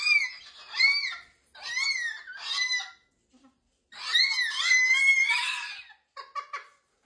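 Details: Pet cockatoo indoors in a small room, vocalising in loud, harsh, strongly harmonic bursts: three short squawky phrases, a pause, then a long drawn-out scream ending in clipped notes, with a person talking nearby.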